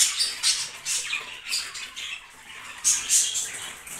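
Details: A breeding pair of budgerigars (yellow, blue and green) warble in a fast, scratchy chatter of high chirps and squeaks, several notes each second, with sharper peeps breaking through.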